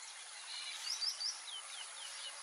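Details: White-faced whistling duck (Dendrocygna viduata) in the Pantanal gives thin, high whistles, a few quick rising notes then several slurred falling ones, over a steady high insect drone.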